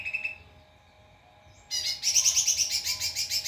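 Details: White-rumped shama song used as a master recording to train other birds: a short high whistle, a pause, then a loud, rapid, buzzy high trill pulsing about three times per second.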